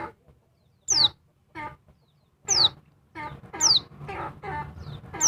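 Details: Noisy female oriental white-eye stirring up a male: sharp, high, downslurred whistles about once a second, each tied to harsh, buzzy lower chatter bursts, with short pauses between.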